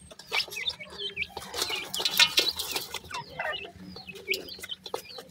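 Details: Young pheasant chicks eating new food: many high, slurred peeps and chirps overlap in busy, irregular bursts, mixed with scuffling and tapping sounds and a faint low hum.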